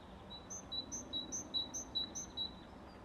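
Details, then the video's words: One great tit vocalizing at Madrid-Río, Madrid, Spain, on 21 April 2018: a bright, ringing two-note phrase, a lower note then a higher one, repeated quickly about five times over a faint background hum. "Carbonero común (Parus major): "VOZ""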